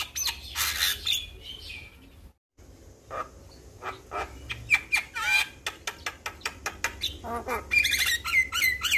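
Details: Javan pied starling singing in a training recording meant to prompt young starlings to respond: scratchy chatter, a brief silence, then rapid clicking notes about four per second, followed by clear whistles and harsh squawks.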